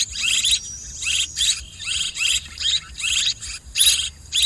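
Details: Buzzy high-pitched swiftlet chirps repeat in regular bursts about every half second, each rasping and slightly falling, above a soft low background noise.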